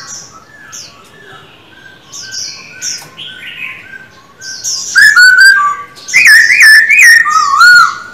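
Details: Captive Black-throated laughingthrush in song training, singing rich, varied whistled phrases, quieter at first, then loud rolling warbles that rise and fall, with fainter high chirps between.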